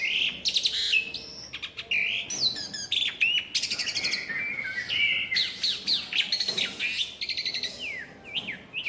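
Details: Asian pied myna up in a tree, pouring out a dense song of sharp whistled notes, zigzag slurs and raspy chatter in rapid succession.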